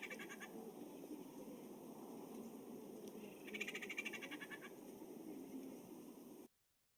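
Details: A female Pinyon Jay gives a rattle call, a dry, rapid rattle of clicking notes lasting just over a second after a brief rattle at the start, over steady hum and hiss; this call is rather uncommon in Pinyon Jays.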